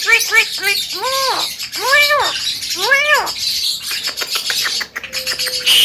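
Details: Talking male Javan myna producing a series of arched, harmonic-rich vocal notes that rise and fall, followed by clicks and one flat steady tone, against a hissing background.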